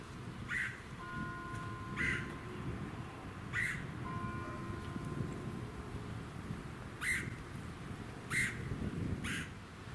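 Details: Red-headed woodpecker (Melanerpes erythrocephalus) in Ludington, Michigan, USA, June 2019, giving five harsh, raspy squawks at irregular one-to-three-second intervals over low rumble, faint hum, wind and suburban noise.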